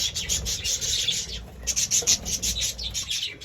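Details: Budgerigar giving a scratchy, rasping warble of rapid chirps and chatter running almost continuously, with only faint low background noise.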